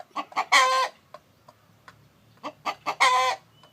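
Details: Chicken, said to be a rooster while a hen broods eggs. Two phrases of a few sharp clucks, each swelling into a loud, buzzy, prolonged squawk, with scattered quiet clucks between them.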